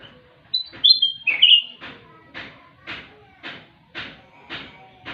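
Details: A whistled descending phrase from a kutilang emas (sooty-headed bulbul), a bird that sings often with plenty of fill-in notes, then a run of soft, evenly spaced rustling pulses about every half second.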